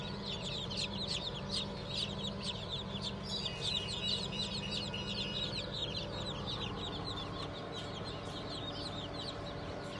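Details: Many chicks of Cream Legbar, Sussex, Sultan and Fizan breeds, hatched 20 June 2023, peeping rapidly in overlapping high chirps. The chirping thins out toward the end while a steady low hum runs throughout.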